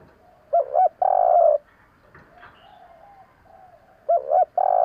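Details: Spotted dove 'kích bổi' call meant to draw wild doves: two quick hollow coos and a long buzzy coo, repeated after a quiet gap with faint distant cooing.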